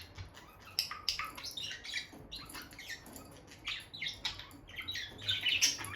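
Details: Peach-faced lovebird couple, a bonded pair kept together by the nest box, giving a busy stream of sharp, high chirps and short squeaky notes, some louder bursts near the end.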